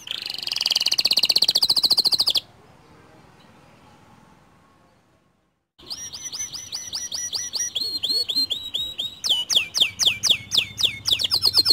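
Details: White canary song used to stimulate other canaries, heard as a dense buzzy trill, a long near-silent gap, then rapid repeated whistles and louder swooping notes.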